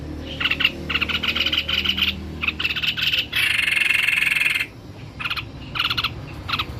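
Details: Energetic song of a white-necked babbler: rapid stuttering high notes in clusters, one long harsh buzzing trill in the middle, then more spaced chip bursts, with a low droning hum early on.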